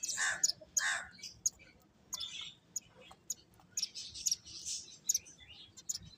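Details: Finches at play give scattered high, sharp chirps in small bursts, with a couple of fuller, noisier calls near the start and quiet gaps between notes.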